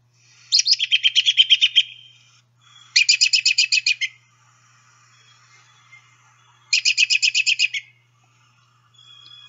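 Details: An American Robin (Turdus migratorius) gives three rapid, chattering whinny calls, each about a second of quick repeated high notes, like a tiny horse neighing.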